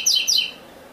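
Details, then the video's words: Captive Double-collared seedeater (Coleiro, Ouro Fino strain) gives a classic song without the third note: two quick, bright, high whistled notes, each sliding downward, in under half a second, then quiet. "canto clássico sem 3ª Nota Coleiro"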